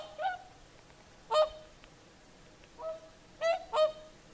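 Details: At sunset on Lake Saimaa in Finland, whooper swans call in the evening: six bugling honks of mixed loudness, some soft and distant, others loud and close, the last two forming a quick pair.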